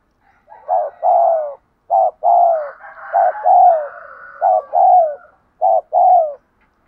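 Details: Spotted dove giving 'thúc gù' cooing, used to train decoy birds. Mellow, low coos come in paired phrases: a short note, then a longer, slightly falling coo. The pairs repeat about every 1.3 seconds, with a faint higher murmur midway.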